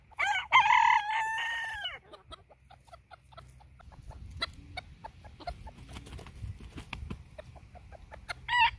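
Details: Phoenix bantam rooster giving a short, strained crow of about one and a half seconds, rich in harmonics, followed by scattered clucks and clicking noises, with a second crow just starting at the end.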